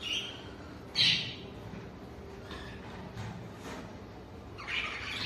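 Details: A flock of exhibition male budgerigars in a flight cage, soon to go to breeding cages, give scratchy, high chirps and squawks in short bursts, calling together.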